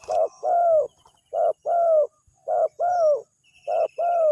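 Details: Spotted dove used as a lure call that draws a response: low cooing phrases, each a short coo followed by a longer, slightly falling coo, repeated about every second and a quarter, with faint high chirps of other birds behind.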